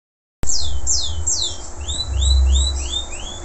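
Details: Canary of a local type, singing strongly after moulting. Three loud downward-swooping notes, each about a quarter second, are followed by five or six shorter upward-slurred whistles repeated evenly, over a steady low rumble.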